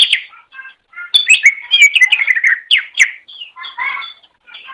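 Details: Cucak ijo, the green leafbird, in a master recording for songbird training: a continuous, richly varied stream of chirps, trills and slurred whistles with brief pauses.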